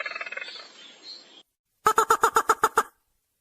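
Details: Ruddy-breasted crake lure call used for trapping, described as very loud and clear: about a second and a half of rough, harmonic chatter, then after a short gap eight rapid, harsh, evenly spaced notes at roughly nine per second.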